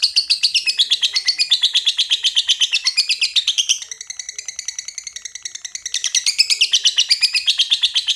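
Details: Long ngekek chattering from a lovebird, fast and grating, with many high notes a second. Midway the run briefly softens and thins before the bird swells back into full, loud chatter.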